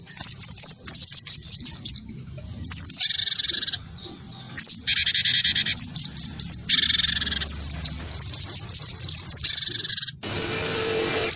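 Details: Wingko gelatik batu in vigorous fighting song, stirred up by a white-eye; high rapid chirp runs alternate with several loud harsh churring bursts over about eleven seconds, ending in a broad noisy rasp.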